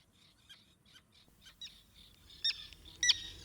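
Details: Common Tern alarm calls, given when a bird detects a threat or disturbance, especially around a breeding colony: sharp, harsh, high-pitched notes about twice a second, growing louder and more urgent toward the end.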